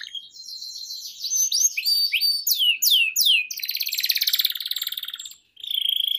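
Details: Canary song for coaxing young canaries to sing: tumbling falling whistles, then a long fast buzzy trill, a short pause, and another high trill.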